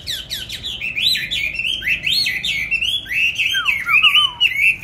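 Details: A cage songbird on stable feed, bought 19 May 2020 and said to sing in any setting, pours out a continuous, dense warble of high swooping whistles with a few lower dropping notes.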